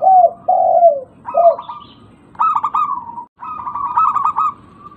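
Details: Local zebra dove lure calls: opening low, falling hoarse coos, followed by rapid stammering coo bursts ending in sustained level notes.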